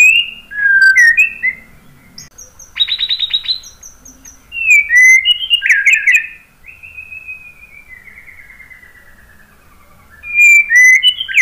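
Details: Varied white-rumped shama song mixing quick slurred whistles, a burst of dry rattling notes, warbled flourishes and a long descending whistle, ending with renewed bright phrases.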